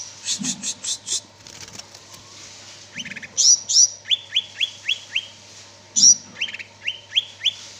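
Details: Energetic song of a greater green leafbird: chattering opening notes, then a series of five or six rising whistled slurs in quick succession, introduced by high piercing upsweeps, over a steady low hum.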